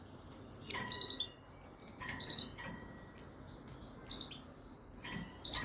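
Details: Twittering from a European goldfinch of the frigoris subspecies: rapid, high, metallic chips and short trills, loose groups of bright notes spaced by brief gaps, clear over low background noise.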